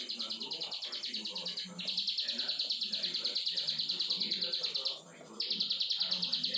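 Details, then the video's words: Long energetic song of a plain prinia: steady streams of quick, buzzy, ticking notes, paused briefly twice, with soft low-pitched background sounds throughout. "CIBLEK SAWAH BRENN 2 MENIT"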